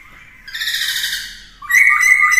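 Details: Black-throated laughingthrush kept as a cage bird for song training; a harsh, rasping buzzy note with many overtones gives way to a sharp, loud level whistle.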